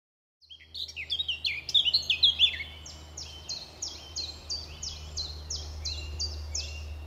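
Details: Male Eurasian blackcap singing from trees near a car park at RSPB Fowlmere in May, holding a territory; a fast run of loud warbled notes, then a steadier series of repeated fluty phrases over low background hum.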